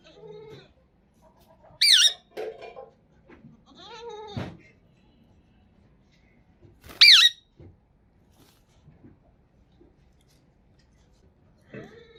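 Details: Pakistani green talking parrot that speaks Urdu mixes lower, voice-like murmured sounds with two sharp, high squawks several seconds apart; quiet indoor background with soft knocks.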